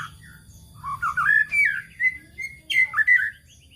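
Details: White-rumped shama (murai batu) lure song played to provoke other birds: sweet whistled phrases, rising and falling slurs, short gaps between notes, faint steady high tone in the background.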